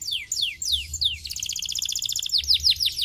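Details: Canary song intended to stimulate singing: a few slow, sweeping downslurred whistles give way to a fast, dense, rattling trill, then return to loud descending sweeps, all very high-pitched.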